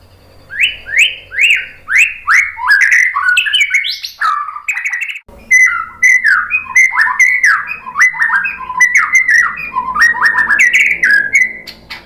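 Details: White-rumped shama singing as a lure to get other shamas answering: a quick string of bright downslurred whistles, then a long, varied cascade of chirps and warbled notes.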